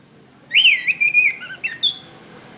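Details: Orange-headed thrush singing, recorded as master song for cage-bird training: one phrase of clear, slurred whistles, rising then wavering, ending in a higher thin note.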